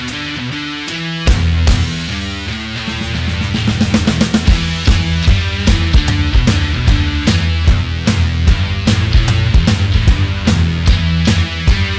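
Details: Loud rock music with driving drums and distorted guitar fills the whole stretch, with no animal voice heard.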